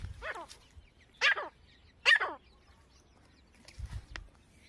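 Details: Grey francolin, a family with chicks: three loud, harsh downward-sweeping calls spaced about a second apart, followed by low thumps and faint rustling.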